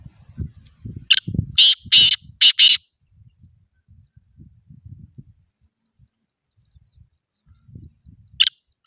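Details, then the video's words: A black pheasant calls, giving a quick run of five harsh, raspy squawks, then one more after a pause, over low thumping and rumbling. "Black pheasant call"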